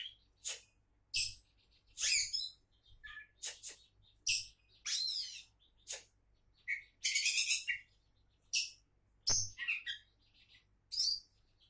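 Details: Lively song from an Oriental magpie-robin billed as a champion candidate: rapid run of short high whistles, trills and scratchy notes, a burst nearly every half second.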